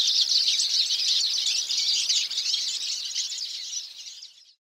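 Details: Hooded siskin song: a continuous, dense, high-pitched twittering jumble of rapid chirps and buzzy trills, fading out toward the end.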